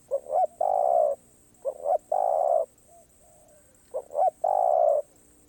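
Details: Spotted dove in the karom pa roi song style, singing off cue: three phrases about 1.5 seconds apart, each a double short hoot followed by a sustained low coo.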